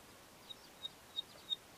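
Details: A grey-breasted southern race Neddicky gives its characteristic 'bicycle pump' call: four short, thin, high pips spaced about a third of a second apart, quiet against a faint hiss.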